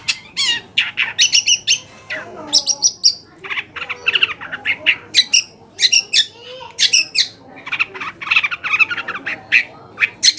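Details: Long-tailed shrike song used as a lure to make other shrikes answer and sing: a long, energetic stream of harsh chatter, scratchy squawks and high sharp chips, repeated rapidly with short breaks.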